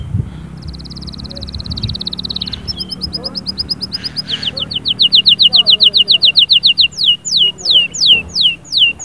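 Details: Canary in energetic song, meant to stir a silent canary into singing: a long high buzzy roll, then rapid pulsed chips speeding into loud, evenly repeated downward-sweeping whistles.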